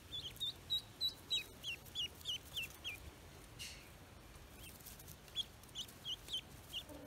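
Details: Newly hatched Pekin ducklings on a farm give high, thin whistled peeps, each dipping slightly in pitch, in a quick run of about nine, a short pause, then a few more scattered peeps over a quiet background.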